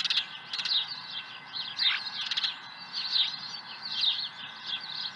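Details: Osprey calling at its nest while holding an early fish, Dunrovin Ranch, 30 April 2020, about 7 a.m.: bright downslurred chirps in short bursts with brief pauses, plus a couple of clicky taps.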